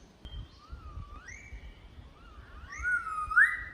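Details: A Magnificent Riflebird in a park on Australia's Cape York Peninsula gives a series of clear, upward-sliding whistles that grow louder and higher toward the end, over a low rumble of wind.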